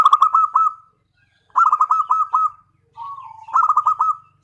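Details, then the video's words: Local zebra dove lure song meant to make other doves answer: three bursts of fast, evenly spaced stuttering coos, the last preceded by a lower wavering note. "PANCINGAN PERKUTUT LOKAL PALING AMPUH"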